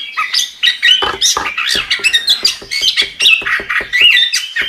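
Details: Chestnut-capped thrush in harsh, chattering song. Rapid scratchy notes and squawky whistles pour out at a quick, uneven pace.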